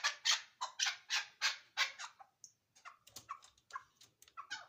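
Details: Chukar partridge recorded at Ishkoshim giving a run of loud, rasping chuck notes, followed after a short pause by softer, mixed, uneven chattering calls.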